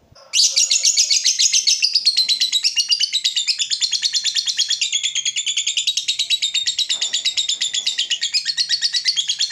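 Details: Lovebird in a long ngekek panjang chattering trill, used as a trigger recording; after a brief start it bursts into a dense, rapid, high buzzy chatter that holds steady and unbroken for about nine seconds.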